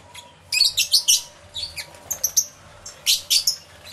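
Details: Lovebirds calling in a crowded aviary, captured by a camera with two external microphones; sharp, shrill squeaky chirps come in short clusters separated by brief pauses, with a faint low hum behind.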